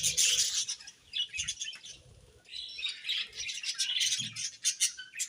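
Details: Budgerigars chirping in the morning: dense, scratchy high chatter in bursts, with a brief quieter gap near the middle before the busy warbling resumes, plus faint low thumps like wing flaps.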